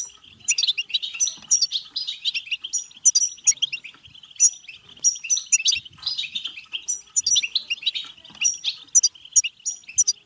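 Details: Goldfinch song of the 'betbeta' type, said to drive singing and mating. Lively, metallic twitters tumble in rapid succession, punctuated by clear high whistled notes, above a constant trill.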